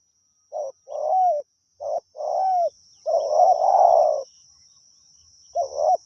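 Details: Spotted dove decoy used in luring wild doves, cooing in a less regular run: several short wavering notes and longer coos packed closely, one drawn-out blurred coo in the middle, with a steady high-pitched whine behind.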